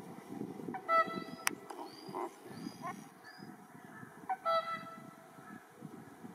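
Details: Captive swans on 1 March 2023 at Asahiyama Park in Iwanuma, Miyagi, Japan, calling to attract six nearby wild whooper swans. Two brief, ringing, nasal honks about three and a half seconds apart, with softer bird calls over a low background rumble.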